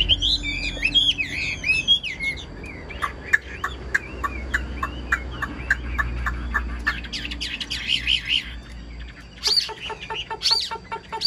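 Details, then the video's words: Caged Chinese hwamei delivering a full, practiced song: rich looping warbles, a long series of quick clicking notes, then bright whistled phrases and sharp repeated chips, over a low steady hum. "hót tốt bài bản"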